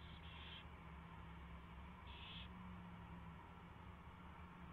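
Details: Owls at a nest at 4:21 AM on 24 February 2016 as a mouse is delivered and fed; two brief raspy high-pitched bursts nearly two seconds apart, the first doubled, with constant low humming underneath.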